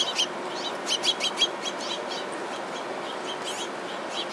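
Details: House finches at a bird feeder, described as tense, give five short, bright chirped calls over about a second and a half, followed by softer scattered notes against a steady outdoor hiss.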